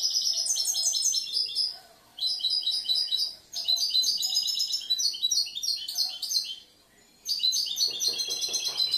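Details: Last year's European goldfinch, a caged songbird with a varied, inventive song, gives several dense phrases of quick, high, metallic twitters and trills, each a second or two long, with brief silences between.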